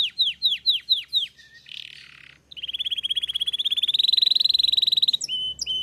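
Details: Belgian canary delivering five slow, loud downslurred whistles, a soft raspy buzz, then a long, rapid rolling trill that climbs slightly in pitch before ending in brief chips.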